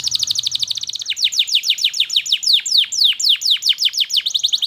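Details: Canary singing a long lure song meant to teach young canaries to sing and to restart silent ones: rapid, regular high trills, then a run of sweeping downslurred notes about three per second, no other sounds.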